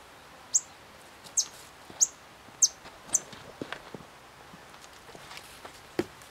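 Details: White-vented violetear, Colibri serrirostris, recorded in Candói, Paraná: five sharp, high-pitched chips about every 0.6 seconds, then mostly rustling and soft clicks, with one last faint note.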